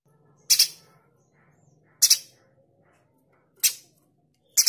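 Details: Male streaked spiderhunter, kept as a master bird for training other songbirds, giving harsh, explosive rasping bursts, each a short double note, repeated about every one and a half seconds in a quiet indoor space.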